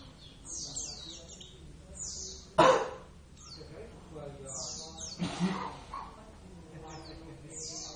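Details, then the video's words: Caged pet Oriental white-eye of the Javan subspecies, described as a gacor (frequent singer): thin, high whistled notes sliding downward, given in short repeated runs, with two loud bursts of nearby human speech breaking in. "plecit gacor"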